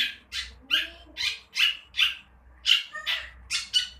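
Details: Young long-tailed shrike learning to dare to sing, giving harsh, raspy squawking notes repeated roughly every half second in an irregular series, recorded close up indoors.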